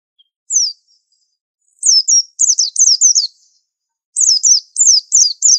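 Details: Pleci (white-eye) 'super antik' masteran song building from a lone high falling whistle into rapid strings of five or six sharp descending notes, delivered in two energetic bursts; no other sounds.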